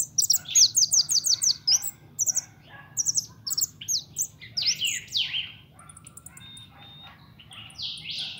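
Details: Young European goldfinch kept at home, pintón, opens with a fast run of repeated tinkling notes, then wheezy slurred notes and scattered chirps, with a thin drawn-out tone near the end.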